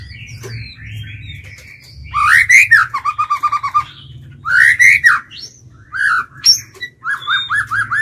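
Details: Singing lure white-rumped shama, trained to call and provoke wild birds: varied whistled phrases, rising slurs followed by fast repeated note runs, several loud bursts over a steady low hum.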